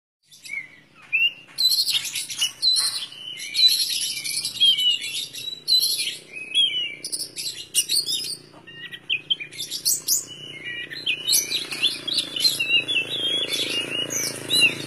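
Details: Oriental magpie-robin singing energetically: a long run of varied, clear whistled phrases and sharp chirps, some notes sliding or rising, delivered in quick bursts with short pauses and a faint low hum underneath.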